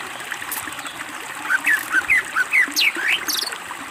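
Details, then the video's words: Greater green leafbird song used as a master recording for training birds: a run of short whistled notes, rising and falling, about two to three per second, with a hiss like trickling water behind. "masteran cucak ijo gacor BONGKAR ISIAN masteran istimewa"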